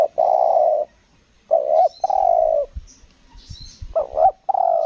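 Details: Spotted dove at a luring session on Lombok, cooing selang nguku gagap: long husky coos and stuttered double notes in quick succession, with low thumping knocks between phrases and faint high chirps.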